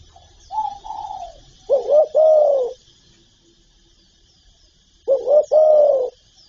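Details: Spotted dove cooing: a softer higher falling coo, then two phrases of a clipped double note followed by a long hollow coo, with faint hiss behind.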